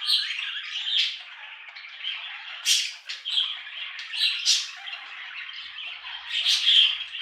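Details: Steady budgie warbling, a dense stream of rasping chirrups, clicks and trills punctuated by several louder sharp squawks.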